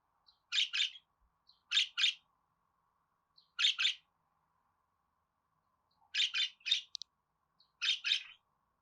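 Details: Budgerigar chirping in neat pairs of sharp, buzzy notes, each pair about a second or two apart, with one quick run of three or four notes, over a faint steady hum.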